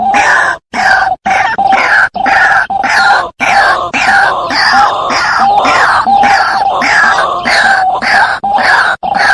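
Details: Lure call of the White-breasted waterhen, played to attract birds for trapping. Loud, rasping, croaky phrases repeat quickly with brief gaps. The sound is harsh and nasal throughout.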